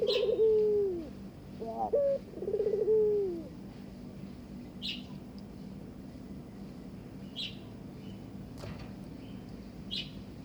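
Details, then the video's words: Barbary dove courting a newly given mate, inviting it to mate: two low, rolling, trilled coos with a short rising note between them in the first few seconds. Quiet background follows, with scattered sharp clicks. "burung puter ngajak kawin"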